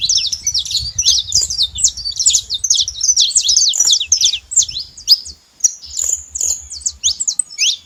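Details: Canário-da-terra twittering in fast bursts of sharp, high zigzag notes, pausing briefly midway before resuming with spaced whistled chirps; low humming noise sits beneath.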